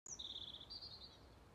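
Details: Blue Tit singing first as the dawn chorus begins on Six Acres Meadow, before a Robin joins: a thin high note slides into a quick, even trill, followed by a slightly higher trill, over quiet low rumble.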